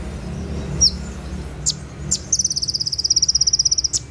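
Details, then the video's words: At night, konin, the olive-backed sunbird, sings 'tembakan' for tutoring captive birds: a few sharp high chips, then a long, fast, even trill of very high notes lasting over a second, above steady low noise. "SUARA TEMBAKAN KONIN SAAT DIMALAM HARI"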